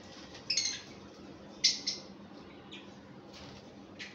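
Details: A pair of lovebirds gives harsh, high, squeaky chirps in short bursts, a few times over four seconds, with soft background hiss.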